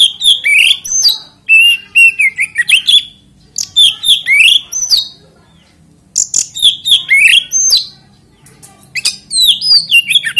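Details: Oriental magpie-robin song meant to make other magpie-robins sing along: repeated bursts of clear whistles, upslurred sweeps and high chips, phrases about every two seconds with brief gaps and a low background hum.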